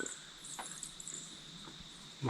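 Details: Barking Owls, a pair calling at about 6:30 am from a large grey box tree in a cemetery at Newstead, Victoria, Australia, give short, gruff dog-like woofs: two faint ones early, then a louder low bark, over steady high insect hiss.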